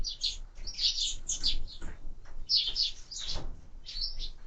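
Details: Feeding sparrows on a window-mounted feeder giving short clustered bursts of high chirps, each burst a few quick notes, separated by brief quieter gaps.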